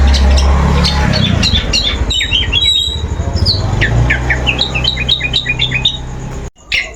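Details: Long-tailed shrike lure sound: rapid series of short sharp chirps and squeaky notes, varied in pitch, over a low rumbling background, ending with a brief pause and a harsh note.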